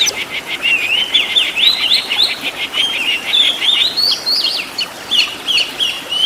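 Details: Oriental magpie-robin master song full of varied fill-in phrases for training caged birds: a rapid stuttering trill of repeated notes leading into zigzag whistled phrases that rise and fall, continuous and lively throughout.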